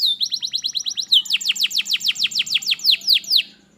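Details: Canary used as a model to start a lazy canary singing, delivering a fast series of crisp descending notes, then louder, slower sweeping notes.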